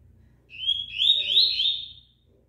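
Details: Rusty-collared seedeater singing while in moult: one long fast run of high whistled, slightly trilled notes lasting about a second and a half, over a low hum.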